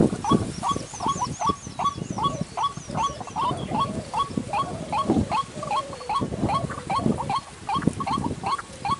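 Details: Dry-season trapping lure of a white-breasted waterhen: quick repeated clipped notes with a hooked, upward-flicking shape, roughly two or three each second, over rough rustling background noise and faint high chirps.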